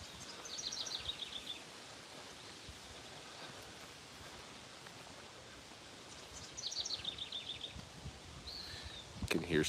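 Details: Yellow warbler, one of several around, giving two bright, quick phrases of sweet, slurred notes tumbling downward, over a steady hiss of wind and outdoor noise; a catbird calls in the background.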